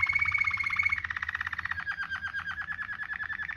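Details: Waterslager canary delivering a rich ngerol rolling song as a tutor recording for canaries: a fast, dense trill with a high whistled edge, then a steady rolling rattle of evenly spaced notes that slowly drops in pitch.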